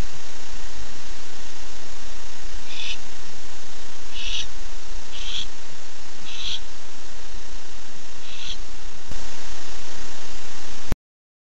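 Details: Barn owl pair at a nest at night on 9-11-15: the male returns at 10:37 pm and the female answers his call. Five short, hoarse hissing screeches come about every one to one and a half seconds over steady background hiss.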